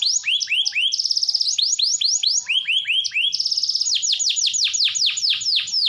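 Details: Canary in strong song, played to stimulate reluctant canaries: alternating swooping whistled notes and bursts of buzzy rapid trills, ending in a series of deep down-slurred chirps.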